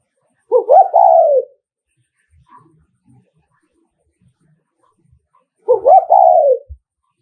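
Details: Decoy spotted dove from Nghệ An giving "thúc gù" coos meant to provoke rival males: two soft, hollow phrases about five seconds apart, each a quick rising lead-in followed by a drawn-out descending coo, with faint rustles between.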